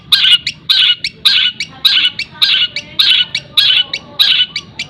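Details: Cendet (shrike) kept as a song bird, trained with the sounds of other birds, used as a tutor recording for other birds: fast, dense bursts of harsh chattering notes, about eight phrases in five seconds, each followed by a short thin note.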